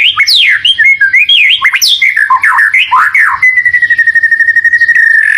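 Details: White-rumped shama song used as a lure to make a pet bird sing along: loud, varied whistled phrases sliding up and down, then a long rapid run of repeated even whistled notes.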